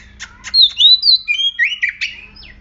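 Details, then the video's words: Agitated oriental magpie-robin singing, used as a lure to make other magpie-robins sing. Two short rasping notes, then a run of loud sliding whistles and warbled phrases, bright and varied, with a faint low hum underneath. "Murai Kampung Galak - Denak Murai Cacing - Pancingan Kacer Gacor Langsung Bunyi - Chòe Than Hót"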